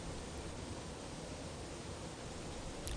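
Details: Only a low, steady rustling hiss with a faint click near the end; no animal voice is heard.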